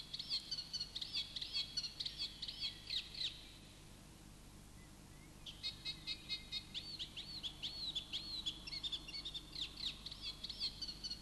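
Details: Eurasian reed warbler singing at a pond near a big city around 4 a.m. in summer before sunrise: a steady, chattering stream of grating notes, each repeated two or three times, in two bursts; faint low hum beneath.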